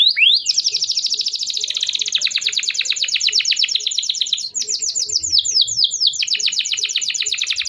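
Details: Canary delivering an unbroken song meant to prompt young or silent canaries into singing; high, extremely fast trills roll on for seconds, shifting pitch and rhythm, with a brief break before more rapid chirped phrases.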